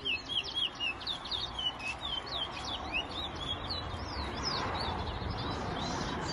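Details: Towa-towa seed finch in a 2022 bird race at a bird ground in New Amsterdam, Guyana, delivering fast bursts of bright chirped whistles and slurred notes. Men count the songs aloud over a murmuring background.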